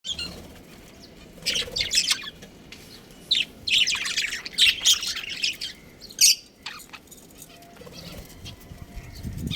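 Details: Budgerigars, a breeding pair in a colony, give bursts of high, scratchy chirps and warbles between about 1.5 and 6.5 seconds, with quieter gaps between bursts.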